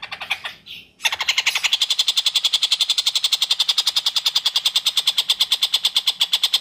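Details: Long-tailed shrike in lively song, recorded clearly as a tutor for magpie-robins: a few scratchy notes, a brief gap, then a steady, very rapid run of rasping, buzzy pulses for over five seconds.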